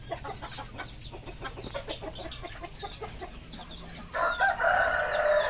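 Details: Farm rooster with red and orange plumage while chickens are fed in the afternoon, 21 February 2022; busy flock chatter, then a strong drawn-out crow begins and is cut off at the end.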